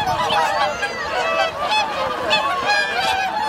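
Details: Wintering swans, whooper and tundra, in a flock of 2628 at Lake Hyoko, Agano City, Niigata, Japan, on January 8, 2022: a dense chorus of overlapping loud honking, trumpeting calls throughout.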